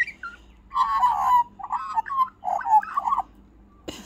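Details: A young Australian magpie visiting a backyard, one of several coming in that week, gives three bursts of harsh, gurgling chatter, each under a second long, followed by a short click near the end.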